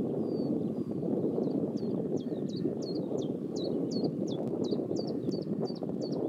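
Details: A common chiffchaff (Phylloscopus collybita) near Pehritzsch, Germany, sings its steady chiff-chaff, about a dozen high notes alternating in pitch at roughly three per second, over a low rumble of wind and distant traffic.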